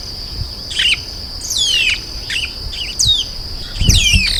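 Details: Chestnut-capped blackbird giving short separated phrases, each a quick downward-sweeping whistle, repeated about every second, with a steady high ringing tone behind.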